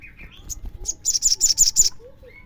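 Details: Crimson sunbird song used as a lure to draw other sunbirds into singing: high, rapid buzzy trills repeated in quick bursts, opened by thin whistled notes near the start and ending with a soft rising whistle.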